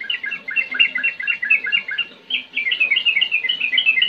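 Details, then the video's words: Sooty-headed bulbul delivering a 'ngetir ngerol' song: rapid, bubbling whistled notes in two quick, continuous phrases with a brief break between them. "Trucukan Gacor Ngetir NgeroL"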